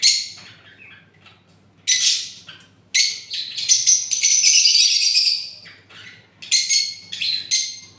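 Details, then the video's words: Parrot chattering in a long run of harsh, rasping notes mixed with a sustained shrill squeal in the middle, then a few shorter scratchy calls toward the end. "Parrots original sound video"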